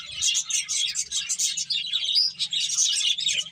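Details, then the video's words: Several finches chirp while eating and playing: a continuous chatter of thin, high tweets, rapid and overlapping, with a few clearer whistled notes standing out. "Cute Birds Chirping Sounds | Beautiful Finches Eating and Playing"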